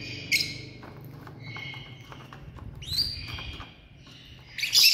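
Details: Lovebirds in a family group giving harsh, buzzy squawks in three separate bursts, with quiet ticking and a low hum between calls.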